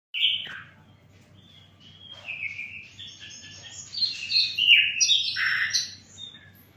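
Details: Flycatcher, known locally as sikatan londo, singing a varied warbling song of slurred whistles and buzzy notes that builds in loudness, over a low steady hum.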